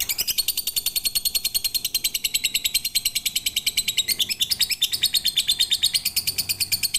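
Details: Lovebird singing, described as full pigter, as training material: very fast, regular shrill chattering, roughly three pulses a second, forming a sustained metallic trill.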